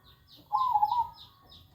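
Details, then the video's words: Zebra dove giving one short warbling coo, a wavering, slightly rising-and-falling burble lasting about half a second, while faint high chirps from other small birds repeat steadily in the background. "burung perkutut"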